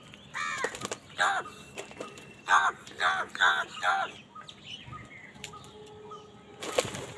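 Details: Angry crows fighting for food give a run of harsh, hoarse caws, about six in quick succession, then quieter squeaky calls follow before a loud noisy burst at the end, with other background noise.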